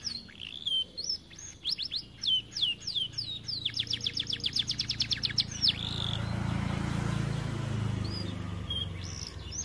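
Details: Canary, described as overweight and reluctant to sing, kept in an aviary, gives rising whistled notes and then a fast run of evenly spaced high trill notes, while a low rumbling hum swells and takes over the second half.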